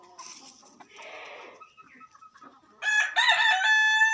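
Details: Rooster crowing, from a compilation of crowing roosters: after quiet, faint clucking-like sounds, a loud harmonic, drawn-out crow begins near the end, rich and slightly hoarse, cut off as the clip ends.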